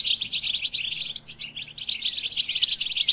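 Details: European goldfinch song played to motivate other goldfinches: rapid, dense high twittering with bright chirps and trills, briefly pausing near the middle, then continuing unbroken.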